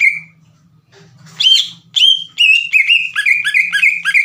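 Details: Vigorous green leafbird song used to get other leafbirds singing: begins quietly over a faint low hum, then bursts into loud, rapid whistled notes with sharp upward and downward flicks.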